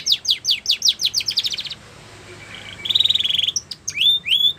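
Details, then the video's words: Belgian canary song: a fast series of downslurred whistles, a quiet gap, then a buzzy rolling trill and a few sharp rising notes. "The Best Canary Singing!! Belgian Canary Song"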